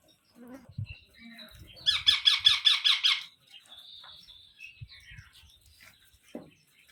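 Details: Young parrot indoors, an Indian pet bird, giving one loud run of about eight quick buzzy rasping pulses, with soft knocks and handling noises before and after.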